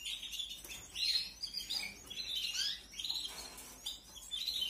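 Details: Hungry canary chicks from a 2021 brood being fed, high chattering chirps and shrill squeaks coming in repeated swells roughly every second.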